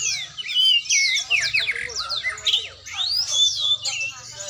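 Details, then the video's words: Loud oriental magpie-robin song during training: fluid whistled phrases, fast downslurred chirps and rising sweeps, over a low hum. "latihan burung kacer"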